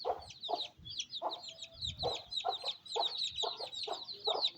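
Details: Quieter scene of a hen feeding her chicks in rainy weather in a Pakistani village: deep, evenly spaced clucks roughly twice a second beneath overlapping high chick peeps.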